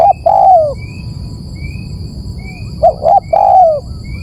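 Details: Spotted dove lure call: the end of one drawn-out falling coo, a pause, then a full phrase of two short coos and a long descending coo, over background hiss and faint high chirps.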